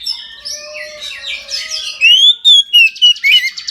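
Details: Oriental magpie-robin in full midday song: a varied run of sweet whistles and scratchy notes building to loud, clear rising and falling whistled phrases repeated rapidly.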